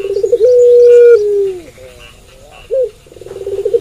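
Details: A night-time puter pelung dove gives one long, even coo after a pulsing build-up, then a falling tail and soft murmurs, with a short upturned note before the next rolling phrase begins.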